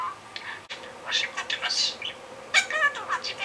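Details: Pet budgerigar imitating a shop clerk, filmed 7 July 2016; a short string of thin, buzzy mimicked words, one breathy hiss-like syllable, then warbling squeaky phrases in a small indoor room.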